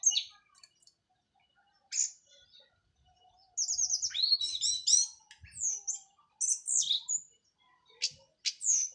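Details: Song of a local Cililin orange-headed thrush after moult, teler style: scattered high chips, then rapid very high trills and downslurred whistles in several bursts, with quiet gaps between.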